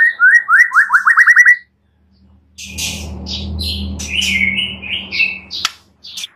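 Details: White-rumped shama song used as a master recording to train and stir other birds to sing. A rapid run of about nine rising whistled notes, a pause, then harsh buzzy bursts and warbled higher phrases over a low rumbling background noise.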